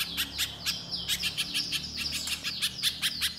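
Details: Little spiderhunter song: a fast series of sharp, high chirps repeated several times a second, some with short down-slurred whistles, over a faint low hum.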